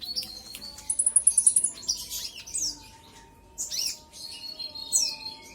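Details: Olive-backed sunbird lure song for provoking rivals: a fast trill of high ticking notes, then scattered sharp downslurred whistles and chatters, over a faint steady low hum.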